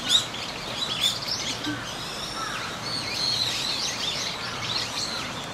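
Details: Eurasian teal group on a pond at Tokorozawa Aviation Park, 19 January 2023, gives high, clipped whistled notes overlapping steadily; background includes separately recorded park ambience layered over the site sound.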